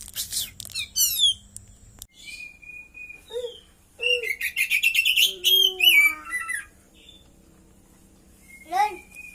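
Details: Captive Oriental magpie-robin with a cililin-filled repertoire mixes high rapid descending sweeps with lower drawn-out whistles, scratchy chattering notes and varied mimicked phrases in a busy, changeable sequence, ending in a short pause and a final whistled phrase.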